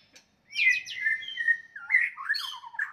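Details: Fighting song of a White-rumped shama, used to raise the anger of opponents: after a quiet start, a loud run of sliding whistles and buzzy chatter that descends and then breaks into rapid twittering.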